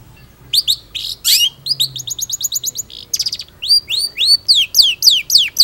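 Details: Long-tailed shrike in full, lively song: rapid varied series of sharp rising whistles and buzzy chatters, bursts of quick repeated notes, then clear upswept notes repeated about every half second.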